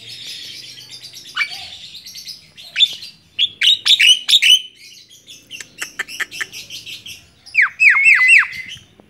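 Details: A hand-tame Javan myna in varied song: scratchy chatter, sharp whistled notes and clicks, ending in a burst of four rapid down-swept harsh calls.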